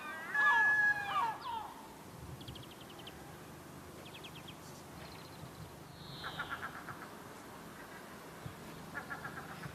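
A gull gives a loud, drawn-out mewing cry, then quieter bursts of rapid, staccato laughing notes repeated every second or two.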